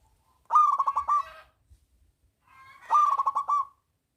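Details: Two loud, rapidly pulsed bubbling coo phrases from a big-voiced local zebra dove, sung to lure lazy doves into singing, separated by a silent gap of about a second.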